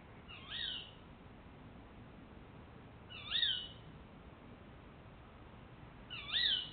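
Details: A tawny owl (Strix aluco) gives its territorial call in August, telling juveniles it is time to leave and keeping other owls away: three sharp, shrill rising-then-falling 'kewick' calls about three seconds apart over faint hiss.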